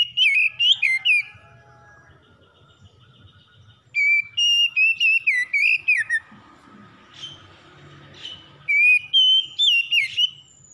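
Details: Magpie-robin pouring out a fast morning song, used to help a stressed bird recover. Three bursts of loud, shrill whistled phrases, each rising and falling with a downward slur, are separated by brief quieter gaps.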